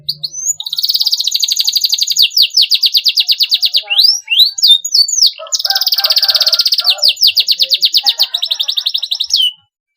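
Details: Canary performing 'gacor fighter' song to encourage young canaries to sing: a long rolling trill of rapid notes, a burst of swooping whistles, then another extended buzzy trill fading to silence.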